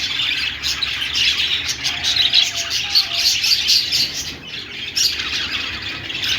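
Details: Australian parrots (budgerigars) chirping: an unbroken, shrill warbling chatter of fast clicks, tweets and squeaks, rising and falling slightly in loudness throughout.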